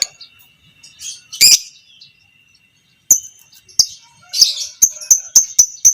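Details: Chattering of a fighter lovebird, biola PB creamino variety, heard as training sound for other lovebirds: a harsh burst, a silence, then a fast series of sharp, clicking high chips repeated several times a second.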